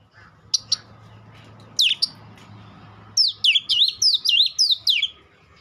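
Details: Oriental magpie-robin giving a few isolated sharp notes over a low hum, then a fast string of about eight bright, looping whistled phrases.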